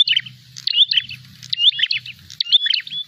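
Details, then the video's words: Prinia on the lookout for a rival, producing high sharp chirps with clear rising whistles in quick repeated groups, a low hum underneath. "prenjak gacor narung mencari lawan"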